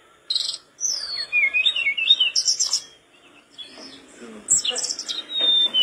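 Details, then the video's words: Energetic song of a mangrove blue flycatcher, a rapid medley of high slurred whistles, sharp chirps and buzzy trills in bursts, with a brief quiet gap midway and a click near the end. "Masteran joss...!!!,tledekan bakau gacor teler bikin sikatanmu meleng2"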